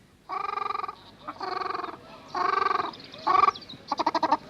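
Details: Ruddy shelduck, a Near Eastern species, heard at Slimbridge: a series of loud, nasal, goose-like honks, each about half a second long and about a second apart, the last breaking into rapid pulses.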